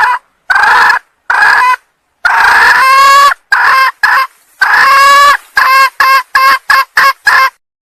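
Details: Red junglefowl hen from Sumatra, calling to attract a male: hoarse squawks, some long and drawn, others short and clipped, delivered in bursts and ending in quick repeated notes.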